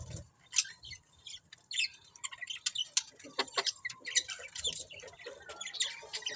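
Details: Pet budgies chattering in quick, irregular clicks and sharp high chirps, densely packed and scratchy, some notes ticking sharply through the stream.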